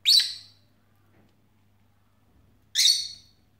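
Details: Pet lovebirds, young birds kept indoors, 6 January 2017 on Three Kings Day: two loud, piercing, high squawking shrieks nearly three seconds apart, with quiet between them and a faint background hum.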